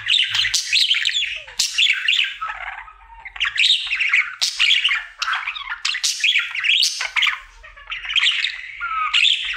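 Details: A pet male budgerigar, happy and singing as part of his daily routine indoors, gives a continuous chattering warble of squeaky, buzzy notes and rising whistles with short clicks, sustained without pause.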